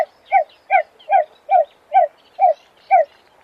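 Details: American coot uttering a fast series of seven clipped, nasal, honking notes, about two per second, evenly pitched and steady, with nothing else audible.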